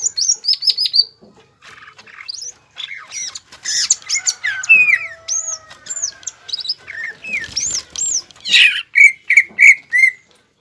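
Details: Caged greater green leafbird, cucak ijo, singing to provoke rivals: high looping whistles and varied chirps with a messy, rustling stretch, ending in a few clear repeated notes.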